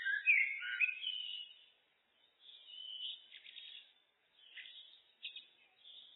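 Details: Common blackbird (Turdus merula) singing, looped: a loud warbling phrase at the start, then softer twittering and scratchy notes broken by short silences.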